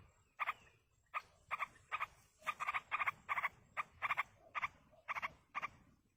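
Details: Begging calls of yellow-vented bulbul young being fed by a parent in the wild: a dozen short, harsh, croaking bursts of a few rapid pulses each, spaced about half a second apart.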